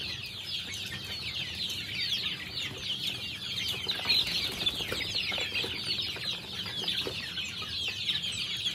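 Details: Flock of chickens eating lunch fills the air with a dense, continuous chatter of overlapping soft clucks and scratchy high notes, with occasional sharper calls, steady throughout.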